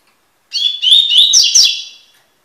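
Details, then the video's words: Double-collared seedeater, from a song-tutoring recording of the "tui tui" song type, giving one phrase. A high whistled opening runs straight into quick, scratchy, trilling notes that sweep upward and then trail off. The background is quiet. "coleiro tui tui cantando"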